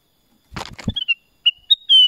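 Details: Rustling and knocking, then a Black-crested bulbul whistles a short phrase of three sliding notes capped by a sustained clear tone.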